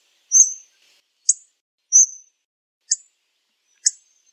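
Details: Hawfinch alternating thin high drawn notes with sharp explosive ticks, about five calls in four seconds; otherwise silent.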